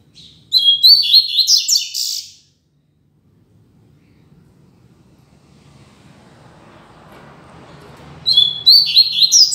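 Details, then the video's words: Two bursts of loud double-collared seedeater song, separated by about six seconds of near silence with a low hum. Each burst is a rapid string of high, buzzy, chirping notes with sharp sweeps. "Coleiro Mack Cantando Firme e Alto!!!"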